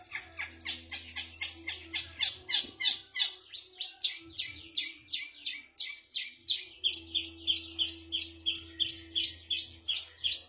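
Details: Long-tailed shrike mimicking kapas tembak, canary, fighting sparrow and bar-winged prinia: a rapid, steady stream of sharp high chirps, about three a second, shifting to thinner, higher squeaks midway, over a faint low electrical hum.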